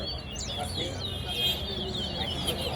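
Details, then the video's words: Chestnut-bellied seed finch (towa towa) singing at a B-class bird-song competition at Lusignan, Guyana: a quick run of high, sweet, slurred whistles and twitters over a murmur of voices and crowd noise. "Towa Towa Bird Competition"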